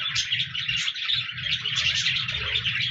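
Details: Budgies recorded on 14 January 2024, singing and chirping: a dense, continuous warbling chatter of overlapping high chirps and trills, with a low steady hum underneath.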